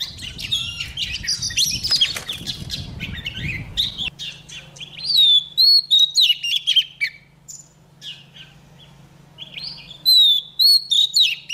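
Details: Female white-rumped shama, caged, singing to spur a rack of males into intense song: high whistled phrases and sliding notes in quick bursts, with a low hum and rustling noise over the first four seconds.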